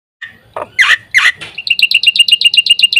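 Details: Black-winged Myna in full varied song, used as a lure and tutor for training other birds: a few harsh chattering notes, then a rapid train of bright clipped chirps, about four per second.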